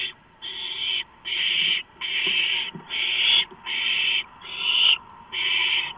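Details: Owlets seizing a large rodent delivered around 12:52 at night, March 2015. About seven drawn-out, breathy screeches follow one another quickly, with light clicks and scratching between them.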